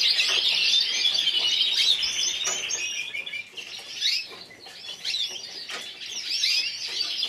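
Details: Runner-up yellow frosted lipochrome canary from the 2014 Burgos show sings a loud opening burst of rapid trills, then softer phrases of quick twittering rolls and whistled notes that come in short waves.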